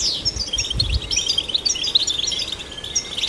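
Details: European goldfinch song played to stimulate goldfinches, a string of sweet high chirps and twittering phrases over a faint low rumble in the opening second.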